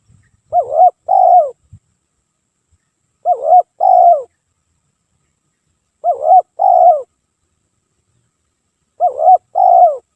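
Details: Nonstop spotted dove cooing for luring: four matching two-note phrases, a wavy short coo then a longer dropping coo, repeated roughly every three seconds, with a few faint low thumps at the start.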